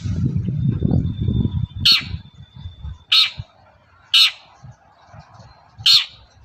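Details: Long-tailed shrike calling in the morning, a lure meant to make other shrikes answer; four loud, harsh, rasping notes spaced about a second apart after a low rumbling background at the start.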